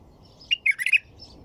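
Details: White-eared bulbul singing one short bubbly phrase of four or five quick warbled notes, rising and falling in a mid-high pitch, over faint low background hum.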